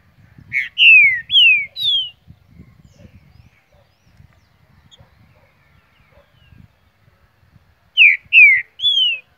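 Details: A young two-year-old green-winged saltator in Mar de Espanha, Minas Gerais, Brazil, gives a loud phrase of three rich, slurred whistles, then repeats it after about six seconds; faint low rustling in between.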